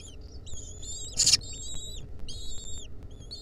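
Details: Wild lesser kestrel nestlings in a nest watched by a camera in 2023, as a centipede clings onto them: thin, high, wavering squeals in short overlapping bursts, a harsh burst near the middle, low background rumble.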